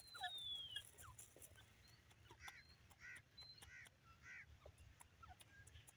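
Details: Young francolins (desi teetar) calling: a quiet run of short, hoarse, harmonic notes repeated several times a second, with thin high whistles early on and faint clicks over a low background hum.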